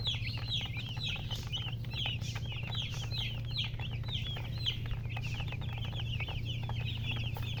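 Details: Many baby chickens peep together in rapid, overlapping high notes, each a short downward-curving chirp, with a constant low droning hum underneath.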